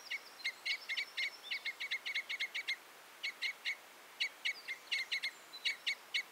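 Red Crossbill giving rapid, sharp, high chipping notes in quick bursts with short pauses, over a faint background hiss.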